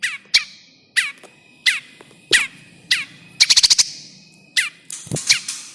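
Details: Bar-winged prinia lure call for bird trapping, with repeated sharp downslurred chips roughly every half second to second, broken by a fast rattling burst of high buzzy notes midway; faint music underneath.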